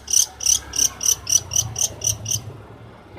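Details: Long-tailed shrike, a champion singer from Banyuwangi used to tutor songbirds. It sings a quick run of nine identical bright, high chips, about four per second, then falls silent.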